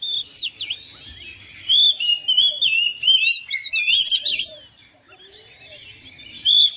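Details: A household oriental magpie-robin replies to another bird with energetic song: sharp upward-swept whistles and rich warbled phrases in rapid succession, easing into a softer stretch before a final loud whistled note.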